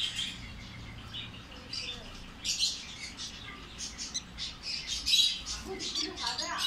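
A lovebird chick gives rapid, high, raspy chirps in uneven bursts, growing louder and more insistent, while begging during hand feeding; faint human voices underneath.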